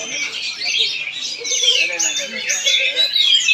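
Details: Oriental magpie-robin (kacer) singing in Palangkaraya, Central Kalimantan: loud swooping whistles and rapid scratchy trills in bursts, growing stronger toward the end, over a soft murmur of lower notes.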